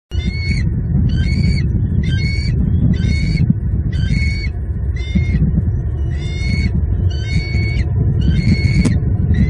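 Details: Bald eagles at a nest in southwest Florida, 5 February 2022, as the male brings a fresh fish and the female feeds two eaglets; high thin piping squeals repeated about every half second, with steady wind rumble behind.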